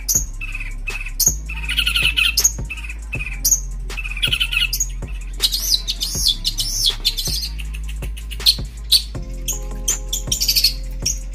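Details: A captive long-tailed shrike from East Java gives harsh, scratchy bursts and chattering phrases every second or so, mixed with brief whistled notes, over steady background music.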